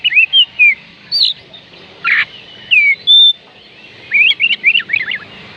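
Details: Oriental magpie-robin (kacer) song to encourage reluctant birds: short whistles and a rasping note, a clear level whistle, then a fast zigzag warbling run.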